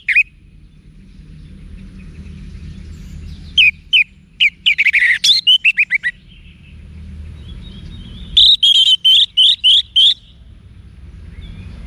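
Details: Cage-bird training song of the Orange-headed thrush from northern Bali: scattered sharp notes, then a dense varied warble around 5 seconds and a run of high repeated whistles near 9 to 10 seconds over low hum.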